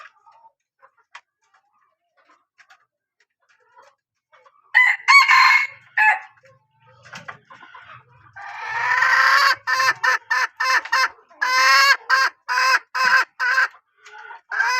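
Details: Hen of a good-calling line: a loud, harsh burst mid-recording, then a long drawn call followed by a rapid series of clipped, raspy notes repeating about three times per second.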